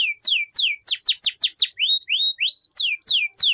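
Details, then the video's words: Long canary song used as a training model for young birds: sharp descending sweeps repeated roughly every third of a second, broken by a few rising whistled slurs, bright and high-pitched throughout. "PANCINGAN Kenari PAUD Agar Cepat Bunyi || MASTERAN Burung KENARI Gacor Panjang"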